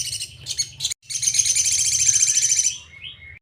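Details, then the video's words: Sejalur-style masteran of a sogon (Crimson Sunbird), meant for cage birds to learn: short chirp bursts, a brief pause, then an extended high buzzy trill ending in a thin falling whistle over constant low hum. "Masteran sogon sejalur paling mudah diingat || Suara asli sogon"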